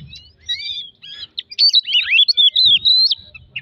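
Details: Lure recording of a kacer to provoke singing: a quick sequence of thin high whistles, sharp upslurs and down-sweeping notes, loud and continuous in the second half.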